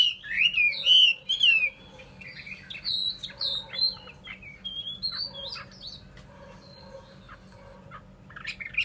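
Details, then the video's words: Chinese hwamei: a few loud, rolling whistled phrases open, then a long stretch of quieter, scattered whistles and chips at a distance. "họa mi"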